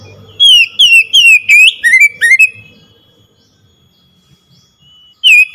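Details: Oriental magpie-robin song for stimulating a quiet bird to sing: rapid loud whistled phrases, bright downward-sliding notes packed into two seconds, a pause with faint sounds, then another loud whistle, over low background rumble.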